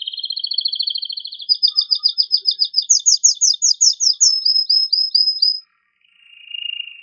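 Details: Excited male canary song meant to encourage breeding: a chain of rapid trilled tours, beginning with a low buzzy roll, moving to crisp repeated chirps, then higher fast notes. A short pause comes before a final low trill.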